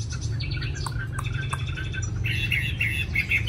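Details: A Chinese hwamei from Hanoi, kept caged. Scattered faint notes give way to a loud burst of rapid, clear whistled phrases near the end, all over a strong low droning noise.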